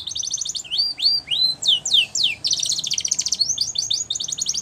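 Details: Timbrado canary singing for training, alternating fast metallic trills with a series of loud rising whistled sweeps, then returning to rapid rolling notes.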